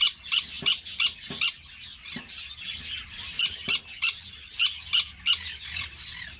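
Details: Rapid harsh squawking from a Green-cheeked parakeet: loud, scratchy, high notes repeated about three times a second in uneven clusters, with softer chattering between them.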